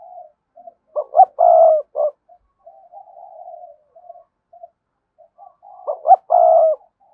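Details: Spotted dove, cườm sa type, giving the thúc gù driving coo: two loud phrases, each two short clipped notes, a long steady coo and a short closing note, with soft low murmurs between them.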